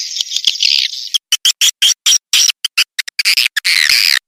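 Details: Lure call of swiftlets, meant to attract the birds: a continuous shrill twittering rattle, then clipped bursts of high squeaky chirps separated by abrupt silences, ending in a sustained buzzy chatter.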